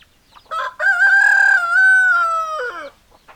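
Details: Rooster crowing: a short rough opening note, then a loud, long, steady, clear cry held for nearly two seconds, ending in a falling tail, in quiet surroundings.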